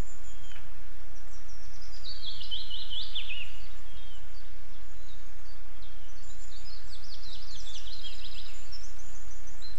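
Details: Ospreys at a nest in Estonia on 11 July 2022, with an intruding female and male present: two bursts of high, rapid, thin chirps in quick descending series, separated by a pause, over a steady hiss of background noise.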